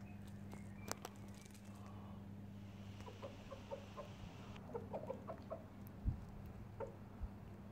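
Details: A lavender-coloured Pekin bantam hen gives soft, short clucks in loose bursts, several notes close together, over a steady low mechanical hum.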